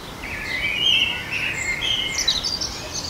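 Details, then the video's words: Common blackbird in a garden giving a short warbled phrase that slides and wavers, ending in thin high twitters. "Blackbird Song"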